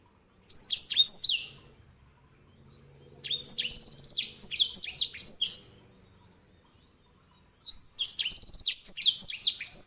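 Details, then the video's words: Three loud phrases from a grey singing finch, a small bird used to tutor canaries: bright twittering notes, a trilled rattling middle section, and a final quick run of high chirps, with faint low background hum. "EDEL SANGER SI BURUNG BERSUARA LANTANG"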